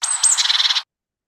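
A Great Tit gives a chickadee-like alarm: thin high notes sliding down, then a harsh buzzy rattle of rapid repeated notes, under a second long.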